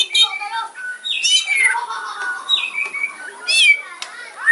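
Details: White-rumped shama in fighting song, the 'kretekan' style meant to provoke rivals: varied slurred whistles sweeping down, harsh squawky notes and quick chirps in a rich, changing phrase.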